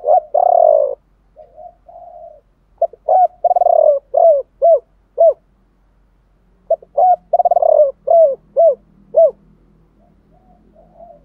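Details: Two full song phrases of spotted doves, male and female, in the chiêu ba hậu style meant to rouse other doves to sing; each is a long rolling coo then three clipped, arched hoots, separated by a pause.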